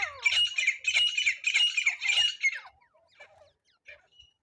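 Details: Francolin calling as a lure for net trapping: loud, grating, squawky bursts repeated for about two and a half seconds, then fading to a few faint scratchy notes.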